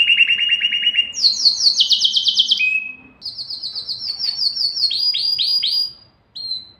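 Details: ['Canary singing to excite males and females for mating: a fast buzzy trill, then a higher rapid rattling roll, a short steady note, a long ringing trill, and finally several downward-swooping whistled notes.']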